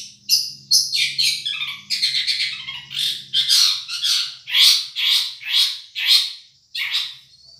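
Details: Long-tailed shrike, Madura type, champion masteran song: loud rasping squawk-like notes roughly two per second, over a low droning hum that fades out midway.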